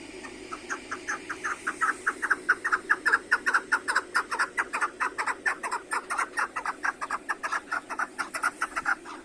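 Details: Captive chukar partridges in a roomy aviary, calling as the sun appears after snow: a long rhythmic series of loud, hoarse 'chuk' notes, about two or three per second, steady and insistent over a constant low hum.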